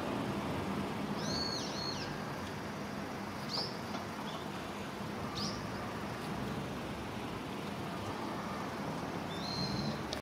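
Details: Two Brown-eared Bulbuls fight an aerial battle over a parking-lot tree shortly after sunset in early November 2017 in Japan, possibly a territorial dispute. They give shrill, high, arching squeals a few seconds apart, partly buried under a steady roar of wind or traffic.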